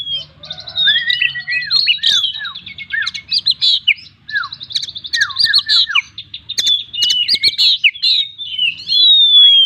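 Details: Chatty kacer, or Oriental magpie-robin, in a 'gacor full isian' song with distinctive shot-like phrases: long run of varied whistles, quick trills, downward slurs and sharp clicks, ending in a clear falling whistle.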